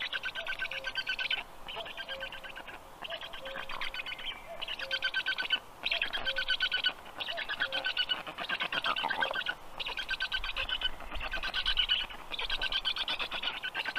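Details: Storklets of black stork at feeding time in the nest, Estonia, 6:22 p.m., 15 June 2022; grating, buzzy calls in bursts of one to two seconds, roughly every second, forming a continuous chorus.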